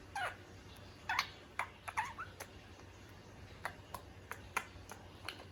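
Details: A pet male budgerigar, kissing himself in the mirror, gives brief scratchy chirps mixed with quick sharp clicks and taps.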